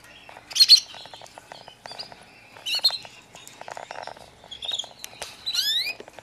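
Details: Newly arrived white foreign canary chicks giving bursts of high, thin chirps and short twittering notes in scattered clusters, with one rising, buzzy sweep near the end and quieter ticking sounds between bursts.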